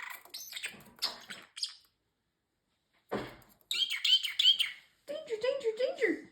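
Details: Male pet parrotlet that talks (peekaboo, excuse me, fake cough) chatters in rapid high chirping bursts, then a pause, then a denser chattering run and lower warbled notes, indoors.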